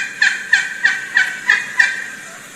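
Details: A wild Turkey hen, one of hens calling to approaching gobblers, gives six raspy, even yelps about three per second, each note the same pitch, over a quiet background; another hen joins.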